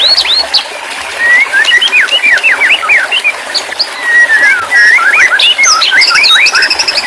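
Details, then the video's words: White-rumped shama, therapy audio for a stressed shama that will not sing: long varied phrases of fast up-and-down whistles and sharp chips, two strong bursts separated by a short lull. "terapi burung murai batu stress/ macet bunyi auto bunyi kembali"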